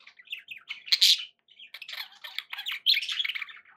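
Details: Pet budgies warbling and chirping, with a loud harsh squawk near the start and a rising burst of excited twittering toward the end.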